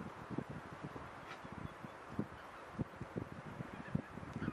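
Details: Undisturbed grazing goose flock in the Sassemse Floris Schouten Vrouwenpolder, January 2017, mostly White-fronted Geese among Tundra Bean, Egyptian and Barnacle Geese; steady low cackling chorus with a few louder honks rising out every second or so.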